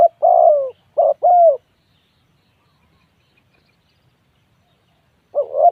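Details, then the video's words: Spotted dove giving low, hooting coos: a short note followed by a longer slightly falling one, then a lone coo after several seconds of quiet; no other sounds. "tiếng chim cu gáy gu"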